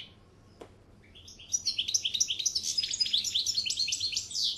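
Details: Goldfinch singing a rapid, jangling twitter of high liquid notes and buzzy trills, preceded by a brief click, the phrase growing denser and louder toward the end over a low steady hum.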